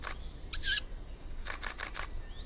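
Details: Young tawny owl: one rasping, hissy screech near the start, then a rapid run of five short click-like bursts against a low rumbling background.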